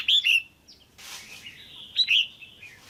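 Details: Female red-whiskered bulbul, caged, calling to excite a male or to pair: two bursts of two sharp whistled notes about two seconds apart, separated by soft warbling and a brief rustle.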